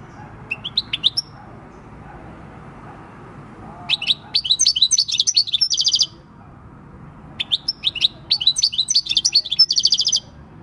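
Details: Wild-caught European goldfinch, six years old, recorded 26 December 2019, singing its countryside song. Two long bursts of rapid, high twittering notes, each ending in a buzzy trill, separated by a short pause over faint background hum.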